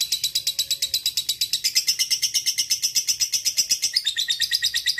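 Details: Long ngekek from a fighter lovebird, a tutor call for luring a rival: very fast, even run of high shrill chattering notes, about seven to eight a second, held without pause, dipping slightly in pitch near the end.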